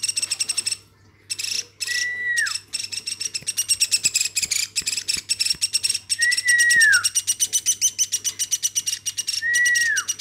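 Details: Woodpecker hand-raised from infancy, vocal nonstop. Long runs of fast rasping pulses, briefly stopping once, with three clear whistled notes that fall at the end.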